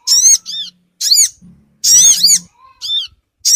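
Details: Lure call of the sogon bird, used to draw small birds together quickly: loud, high, arched chirps in short bursts roughly once a second, some notes doubled, separated by silence, with a faint low hum in the gaps.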